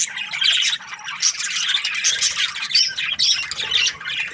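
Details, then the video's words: Budgerigars chirping in the morning: a dense, continuous chatter of squawky, warbling chirps overlapping throughout, several birds calling at once with no pauses. "Amazing budgies chirping sounds in the morning"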